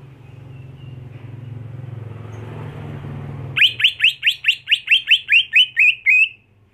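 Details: Home-kept greater green leafbird, trained to turn fierce at singing contests, bursts into a rapid string of a dozen loud, sharp chirps after a stretch of low humming noise.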